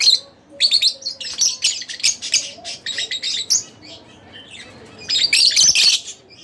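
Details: Split blue Fischer's lovebird chirping almost nonstop, with rasping, twittering notes rising and falling, a softer lull, then a loud buzzy burst near the end.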